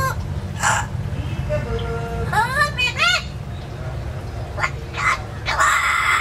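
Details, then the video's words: Talking pet parrot from an indoor free-flight aviary, placed in a cage for safety; a noisy burst, then rising, bending harmonic phrases like mimicked words, followed by more short bursts over a low background hum. "sure can talk but he can't whistle yet!"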